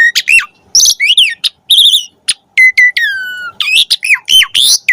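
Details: Asian pied starling in lively varied song, played to teach pet starlings: dense mix of whistles, buzzy harmonic notes, long falling whistle and sharp chips in quick succession.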